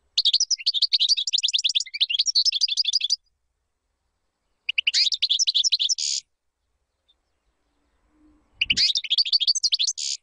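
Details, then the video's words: Long bouts of rapid, tinkling goldfinch twitter, each ending in a rasping buzz, separated by silent gaps; a song intended to teach chicks, clean and high-pitched, with a brief low knock before the final bout. "تغريد طائر الحسون بدون أخطاء لتعليم الفراخTweeting goldfinch to teach chicks goldfinch"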